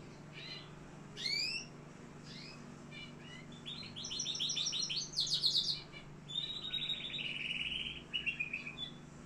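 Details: Canary in Algeria singing: upward-sweeping whistled notes, then buzzy trilled phrases and rapid rattling runs, with steady trilled passages near the end, over a faint low hum.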